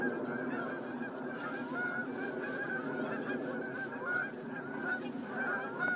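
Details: Many whooper swans at Starene, 2023, giving a constant mass of nasal honks and bugling notes, overlapping with no pause, some louder calls standing out near the end.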